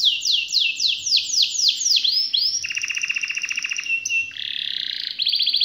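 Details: Canary sings a run of about eight loud whistles, each sweeping downward, then moves into high sustained trills and a lower, buzzy rattling roll that is part of a long 'ngerol' performance.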